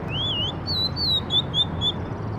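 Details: A single bird phrase of clear whistled notes, opening with a wavering rising slur and running into several descending slurred whistles, set against a constant low rumbling background.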